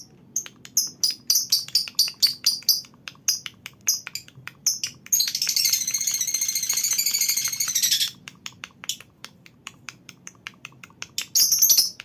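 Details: A colony of lovebirds gives shrill, high chirps in quick bursts, then a dense, continuous chattering trill, the kind of colony sound used to prompt lovebirds into long trilling.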